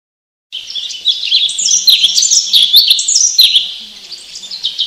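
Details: Cinereous tit song played as a lure to make untamed caged tits sing quickly and roll their song: a dense, rapid stream of high, sharp whistled and chattering notes, several per second, running continuously after a short silent start.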